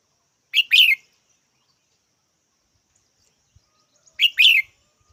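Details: Two identical red-whiskered bulbul calls about three and a half seconds apart, each a quick chirp followed by a richer slurred note, with faint clicks between.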